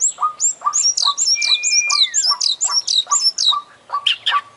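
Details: Full 'isian' song of an international champion Oriental magpie-robin: rapid, very high, hooked whistles repeated in a fast string over short lower notes, with a long whistle gliding down midway.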